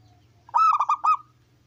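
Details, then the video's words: Local zebra dove of wild stock with a big voice, singing to prompt other doves to call: a single brief phrase of three or four quick, bubbling coo notes over a faint low hum. "Masteran Perkutut Lokal Gacor Suara Besar"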